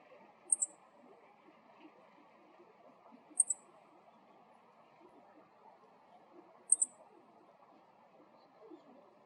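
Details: Male meadow bunting giving its everyday ground call: very high, sharp double 'chi-chit' notes, each pair about three seconds apart, three pairs in all, over a quiet, soft low background hiss.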